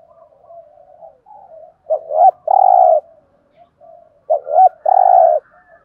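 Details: Spotted dove used as a decoy, with a deep thổ-style voice, cooing and calling: soft low murmurs lead into a loud hoarse two-part coo, a quick double note then a long sustained hoot, heard twice, in clean quiet surroundings.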